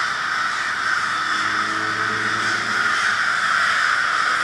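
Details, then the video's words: Murder of crows in Minneapolis, Minnesota, February 20, 2020, cawing in a packed continuous chorus while a vehicle's low engine drone passes underneath for a few seconds. "A Murder of Crows"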